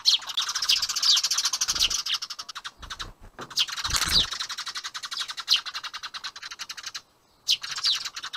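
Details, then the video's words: Sparrows skirmishing at their nest box in spring, chasing one another, caught by a dash cam: dense, rapid high chirps and sharp twittering notes pour out almost without pause, with a brief quiet gap near the end. "春のスズメの大バトル ～The sparrows' battle～"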